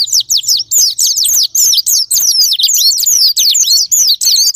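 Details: Sparring lure of Japanese white-eye song for triggering other birds: high, sweet chattering phrases of quick rising and falling squeaks, delivered in bursts separated by very short pauses.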